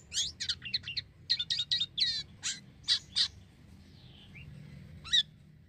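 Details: Black-winged myna (Acridotheres melanopterus) in vigorous song, used as a lure sound for birds: a fast run of harsh, scratchy chattering notes, then a thin slurred whistle and one last rasping note, over a faint low background rumble.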